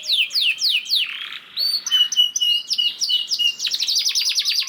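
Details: Canary lure song meant to set other canaries singing: a few falling sweeps, a brief buzzy burst, steady high whistled notes, then a rapid trill of sharp repeated clicks and chirps.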